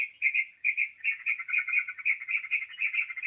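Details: Sooty-headed bulbul lure sound for bird trapping: brief, dense run of bright warbled chirps at a fast even pace, with two thin rising whistles above.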